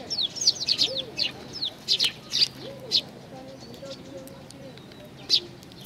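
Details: Young sparrows clustered at food at Tenmangu, Nakanoshima, 25 May 2020: a fast tumble of high chirps early on, thinning to occasional single chirps, with soft low cooing-like notes in the background.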